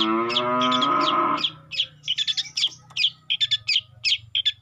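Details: Juvenile long-tailed shrike singing: a drawn-out harmonic note opens, then quick sharp chips and short clipped notes follow in uneven clusters, about three per second, over a faint low hum.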